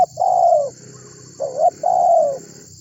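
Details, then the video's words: Spotted dove (tekukur) in strong calling form, used as a lure to make other birds sing: three mellow low coos, the first and last long and level, a short rising note between them. "Suara Burung Tekukur Gacor Memanggil Burung Lain Agar Ikut Bunyi"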